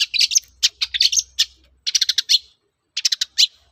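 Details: Long-tailed shrike singing vigorously as a lure to make other shrikes respond: dense, harsh, scratchy notes in rapid clusters, broken by short pauses, with a faint low hum underneath.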